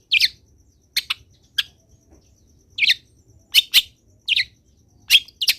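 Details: Tutor song of a lively long-tailed shrike meant to set other shrikes singing: scattered harsh, scratchy high notes and clipped double chips separated by short silences, with a faint low hum behind.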